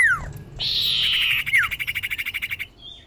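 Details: Common iora female calling a male, a lure for catching birds: a descending whistle, a sustained rasping buzz, then a rapid run of about fifteen pulsed notes that fade out.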